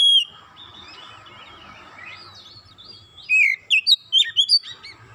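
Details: Provocation song of an Oriental magpie-robin, meant to set other magpie-robins singing: a low continuous warbling chatter, then a sudden run of loud sharp whistled notes, each briefly rising or falling, packed closely together.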